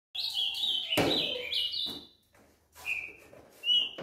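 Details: Rufous-browed peppershrike singing its "boi" song type: rich whistled phrases sliding between high and mid pitch, broken by a loud knock early on, then two shorter whistled notes after a pause.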